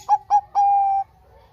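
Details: ['Short fragment from a Bangkok-type zebra dove lure singer: two brief bubbling coos, then a single long, steady cooing note, clean and unaccompanied.']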